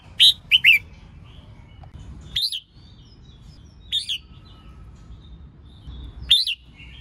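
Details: Red-whiskered bulbul, female, singing to stimulate males: a rapid double chirp opens, followed by single bright notes with upswept, looping whistle shapes at irregular intervals of one and a half to two seconds; faint hum behind.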